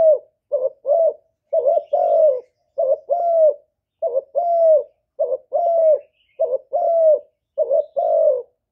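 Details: Spotted dove, a kept bird recorded without background noise, calling and cooing to excite other doves. About eight rapid paired coos, a clipped hooked note followed by a longer downslurred one, steadily repeated.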